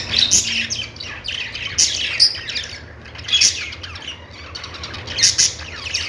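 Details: Budgerigar chirping in bursts: clusters of bright, rapid twittering notes about every one and a half seconds, separated by quieter chatter, with a low hum beneath.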